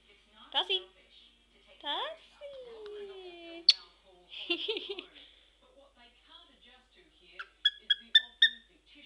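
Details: A cockatiel (male) makes clucking, chicken-like noises while being prompted to do chicken sounds and kisses; he looks cute but is described as angry; a person talks nearby.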